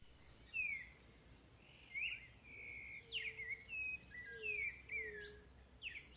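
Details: Chalk-browed mockingbird singing outdoors: a varied string of short whistled, slurred phrases, some rising and some falling, one after another, with a lower soft whistle repeated in the background over steady natural ambience.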